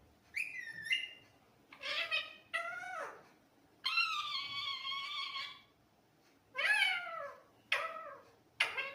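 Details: Parrot talking nonstop in a real voice: several drawn-out, speech-like harmonic phrases, some rising and some falling, separated by short pauses, with a quiet background.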